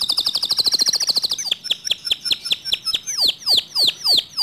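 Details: Singing canary whose song is said to provoke other canaries into singing too: a fast high trill followed by clear falling whistles, then longer sweeping notes spaced more widely.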